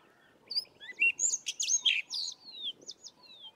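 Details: Sabota lark singing in the southern Karoo: a quick, varied phrase of whistled slurs, sharp chirps and rising and falling notes, fading into softer spaced whistles, over a faint low background hum.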